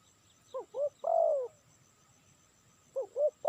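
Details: Spotted dove, call used for luring, gives two short hooked notes and a long descending coo. After a pause it starts the phrase again, over a faint steady whine.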